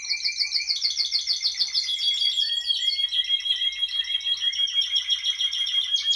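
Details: A Timbrado canary's rapid, rolling song of fast-repeated metallic notes and trills, with pure high whistles sustained beneath, running continuously without pause.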